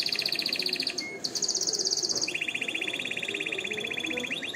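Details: Canary trilling for training young singers and stimulating females to mate: a high rapid trill, a short whistled note, another bright trill, then a lower, steady rolling trill lasting several seconds.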